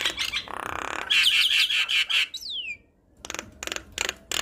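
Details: Javan myna (jalak kebo) singing gacor, a tutor song for young mynas: raspy buzzy phrases and a steady nasal tone, then a clear downward-slurred whistle, a pause, and spaced harsh chattering bursts.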